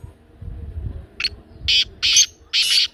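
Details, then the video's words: Black francolin call, used to make a pet francolin start calling: after faint low rumbling, four harsh, grating, broadband bursts come in quick succession, the last ones longer and louder. "کالا تیتر کی بولتی آواز"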